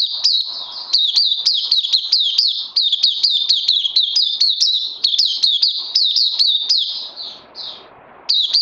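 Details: Caged oriental white-eye, crazy LG singing style, recorded 31 May 2020: long fast string of piercing, falling chirps, a brief lull near the end, then one more sharp burst.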